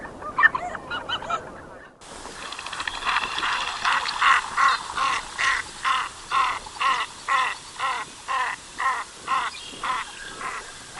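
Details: Canvasback from Wisconsin: a steady series of harsh, nasal honking notes, about two per second, preceded by a brief separate burst of higher, quicker calls at the start.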